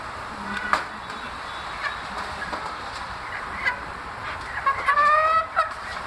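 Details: Caged chicken chicks making strange, funny sounds: scattered short whistled peeps, then a quick run of bright, slightly falling peeps near the end, over a steady hiss of background noise.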